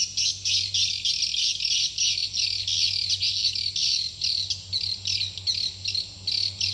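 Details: Calls of swiftlets used to lure them to a nest house: rapid, rhythmic high chirping bursts repeated about three times a second, over a steady low electrical hum.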